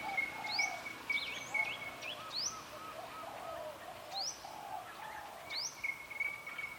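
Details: Forest birds calling at Phu Sing, Sisaket, Thailand: several species mixed, a sustained high whistle, short upward-sweeping notes in bursts every second or so, and lower soft hooting phrases underneath.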